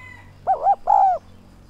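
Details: A single call from a decoy spotted dove used to entice wild doves: two short undulating coos run into a sustained, slightly falling coo, with faint background hum.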